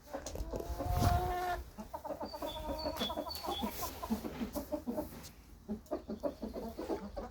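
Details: Hens walking about outdoors cluck in quick, soft, uneven bursts, about three a second, with a drawn-out squawk near the start and a person talking nearby; a warm, sunny day without rain on 22 April 2024, with a rooster crowing that day.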